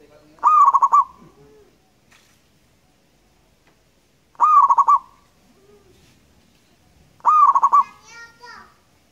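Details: Lure song of a local wild zebra dove: three rolling coo phrases, each a fast series of clipped notes at one pitch, repeated roughly every three seconds in a quiet setting.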